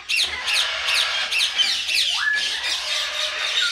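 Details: Tame pet common myna kept as a pet, giving a rapid run of harsh, scratchy V-shaped notes about twice per second, then a single clear rising whistle sliding up into a held tone.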